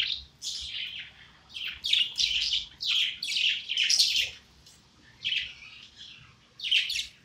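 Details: Happy pet parakeet, a budgie, singing: bursts of harsh chirps, buzzy clicks and squeaky twitters in quick runs, broken by short gaps near five and six seconds, in a quiet room.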